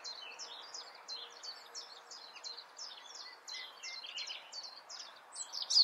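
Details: European robin song recorded in Germany's Eifel region: high, sharp notes delivered quickly and repeatedly in a rippling, tinkling run, ending with a louder, squeakier flourish.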